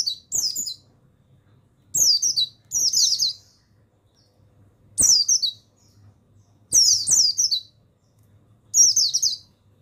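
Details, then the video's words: Buxtoni mountain white-eye male singing on a recording for conditioning other pet birds. Short, very high, falling twittered bursts every one to two seconds, some doubled, with clicks and a low background hum. "Begini Suara Pemasteran yang Untuk Pleci Bustomi Bahan Bikin Burung Pleci Bustomi Gacor Ngalas"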